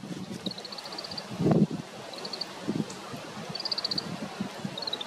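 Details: Grey-capped (Oriental) greenfinches feeding in a group in a strong north wind give short, high twittering trills every second or two, faint beneath a steady rush of wind and rustling leaves.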